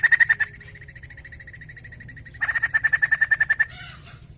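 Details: Singing white-crested laughingthrush, used to stimulate other birds: a short fast chatter, a stretch of faint continuing notes, then a louder run of repeated notes ending in a rough, noisy flourish.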